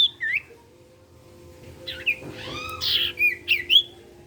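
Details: Sirtu in active song for stirring other sirtu birds to sing; a falling whistle, a pause, then harsh buzzy notes and several quick rising whistles, low hum throughout.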